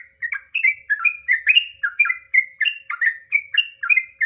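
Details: Trucukan, the sooty-headed bulbul, in vigorous ropel panjang song meant to provoke birds into singing: rapid, steady run of bright whistled phrases alternating up and down slurs, roughly four notes per second, clean background.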